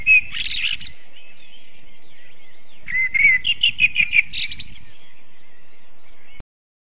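A blackbird gives two bursts of thin, wavering whistles mixed with scratchy, high twittering notes, separated by a pause, over a low rumble of wind.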